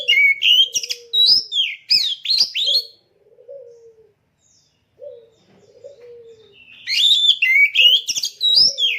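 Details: Caged oriental magpie-robin being readied for a singing contest, fed mealworms: bursts of rich varied whistles and sharp chirps high up, with lower slurred notes, a near-silent pause midway, then the lively phrases resume.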